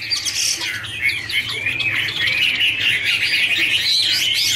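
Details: Chinese hwamei (Garrulax canorus) in a dancing duet, giving a loud continuous warble with harsher chattering notes mixed into tumbling whistled phrases.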